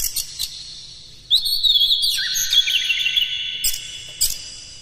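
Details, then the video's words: A caged Oriental magpie-robin sings one long, varied whistled phrase in the morning, used to stimulate other birds into rough, excited singing. Sharp clicks come before and after the phrase. "suara PAGI!! KACER Gacor Master PANCINGAN Buka Ekor"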